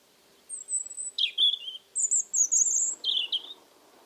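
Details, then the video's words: European Robin singing on a warm, humid mid-October evening in 2014 at an old house among cork oaks in Alentejo: thin, high whistled notes alternating with sweet lower trills, then a quiet pause. "Das Rotkehlchen singt, als begänne der Frühling"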